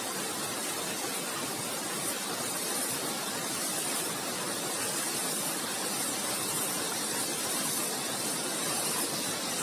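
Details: Steady, loud rushing of falling water fills the whole recording as an even roar, with no animal calls standing out.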